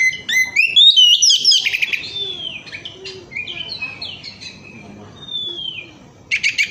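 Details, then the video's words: Lure song of an Oriental magpie-robin, meant to get other birds singing: a loud opening flurry of whistles and harsh notes, then softer drawn-out slurred whistles and a brief closing burst. "kacer gacor ngemplong"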